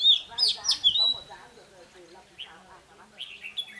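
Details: Red-whiskered bulbul kept as a decoy, singing to provoke rivals: a burst of clear, high whistled notes in the first second, then sparser short whistles, with low human speech murmuring throughout.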